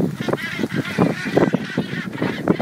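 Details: A crowd of northern gannets in a feeding frenzy alongside common dolphins at sea north of Coll gives harsh, grating, goose-like calls, overlapping in rough bursts several times a second, over a low background rumble.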